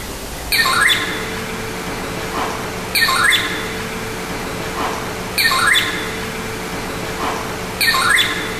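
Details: Black-hooded oriole giving a harsh, descending call repeated about every two and a half seconds, over a steady background hum.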